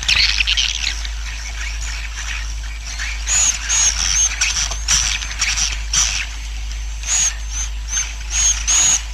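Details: Swiftlets at a roosting colony, a lure sound for attracting birds and building a colony: soft rasping twitter that grows into repeated buzzy bursts with brief high whistled tones, over a faint steady hum.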